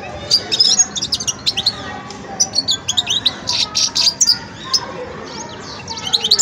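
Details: European goldfinch, a young bird still learning its song, twittering almost continuously in high, tinkling, buzzy notes that come in quick clusters, with short gaps, over a constant low hum.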